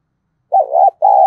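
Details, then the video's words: Decoy spotted dove used to draw wild birds: one low two-part coo, a wavering first note followed after a brief pause by a steady, even second note. "Chim Cu Mồi/ cu gay kich boi nhanh noi gù hiệu quả, kích rất nhạy, bổi nghe là gáy"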